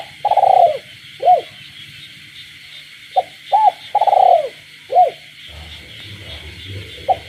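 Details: Kept spotted dove giving night-time coos with frogs in a rural village: a long rolling coo and hooked notes, then a second phrase, followed by low rumbling and a steady high frog chorus throughout.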